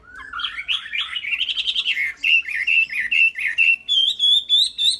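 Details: Caged Chinese hwamei singing: low wavering whistles rise into a fast trilled burst, then a steady series of loud, evenly spaced slurred whistles ends on higher, ringing repeated notes.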